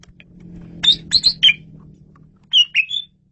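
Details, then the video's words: Asian pied starling song meant for luring birds: a sequence of sharp whistled notes, some falling in pitch, in two short groups over a faint steady hum. "SUARA JALAK SUREN RAJANYA MP3"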